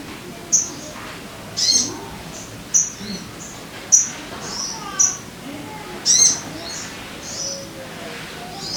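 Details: Sogon lure sound meant to make caged birds sing: short, very high, sharp chirps repeated roughly once a second, some doubled, with faint lower sounds in between.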